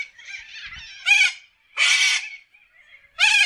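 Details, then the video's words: Wild corellas screeching in an Australian forest, three loud, harsh, grating squawks about a second apart over faint background chatter of the flock. "WILD PARROTS sound - Australia nature - Corella bird in forest"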